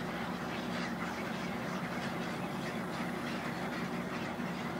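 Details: Thousands of egrets settle in to roost, producing a ceaseless, noisy jumble of coarse squawks and croaks layered over a steady deep hum.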